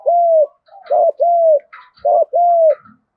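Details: Lure recording of a spotted dove's country-voice fighting coo: a short note followed by long, even, slightly arched coos, about three in three seconds, loud and clean.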